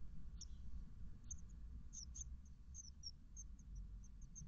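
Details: Thirteen-day-old great tit nestlings in a garden nest box on a morning in May 2021 give thin, very high, brief cheeps, scattered and repeated several times a second, over a steady deep rumble.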